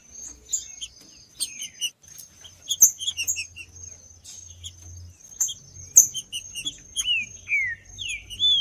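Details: Captive Green-winged saltator song meant to excite a cold bird: spaced chirps early, then a closing series of loud, downward-sweeping slurred whistles.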